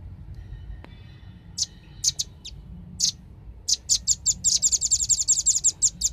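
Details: Velvet-fronted nuthatch lure recording used to attract birds: scattered sharp high chips, then a fast run of evenly spaced piercing notes building near the end, over a low background hum.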